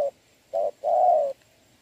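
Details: Decoy spotted dove used to lure a wild dove, cooing in rain on 26 November 2022. Brief cut: the tail of one note, then a short note followed by a longer level coo, then quiet.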